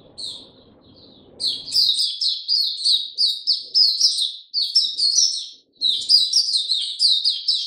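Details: An Oriental white-eye, recorded 2 May 2022, opens its song: a fast, high, twittering run of jumbled chirps broken by two short pauses, preceded by a soft low rumble.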